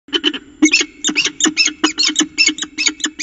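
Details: Peregrine falcon at its nest in Orange, Australia, 25 September 2018, calling while the mate is not relieved: rapid series of high, sharp pi notes, roughly two or three per second, over a steady low hum.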